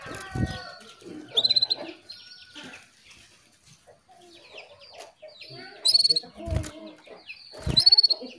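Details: Calling female Atlantic canary luring the male to sing: three separate bursts of quick, high, rattling trills spaced a few seconds apart, amid cluttered chirping, soft clicks and thumps.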